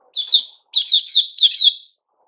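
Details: White-rumped shama, called Puteh Raja locally, recorded 29 August 2021, delivering four loud, rich, slurred warbled phrases in quick succession, each falling slightly, then silence.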